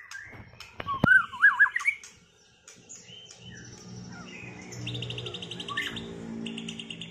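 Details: White-rumped shama after moulting, duelling to regain performance; a sharp click then loud rising whistled notes, followed by rapid trilled rattles over a low humming background.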